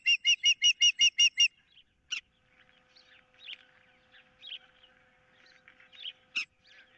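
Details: Osprey on a nest-cam perch, 15 April 2023, as a fish is contested and an intruder lurks nearby: a tight burst of eight shrill whistled notes, then near quiet with soft twittering and two isolated sharp calls.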